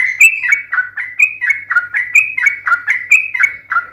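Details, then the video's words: Sooty-headed bulbul, called trucukan, in a lively long rambling ropel song used as a lure to make other bulbuls answer: quick chirpy whistled phrases alternating high and low, about one per half second. "SUARA trucukan gacor TARUNG ROPEL PANJANG pancingan trucukan agar bunyi"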